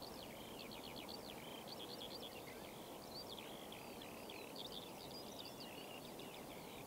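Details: A common snipe at a flood pond gives a steady run of sharp, rhythmic double notes, repeated several times a second, over a broad background hiss of wind and distant noise.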